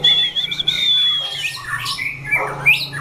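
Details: In a chảo lửa fighting trial, a white-rumped shama holds a long, thin high whistle, then follows with twisting upslurred notes and harsh squawky fragments. Low hum underneath.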